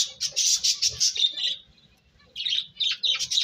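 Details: Bird chirping in a rapid run of high, squeaky notes for about a second and a half, a short pause, then another burst of bright tweets.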